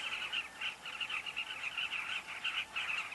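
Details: Carmine bee-eaters at a breeding colony at Kavinga Safari Camp: a dense, overlapping chorus of short, rolling, burry calls from many birds, pulsing in quick bursts with no pause, against faint background hiss.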